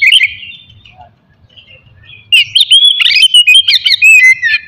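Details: Kacer (Oriental magpie-robin) singing in a morning session meant to spark aggression and breeding urge in rivals; brief whistles, a quiet gap, then a loud fast string of repeated chirps and sliding whistles.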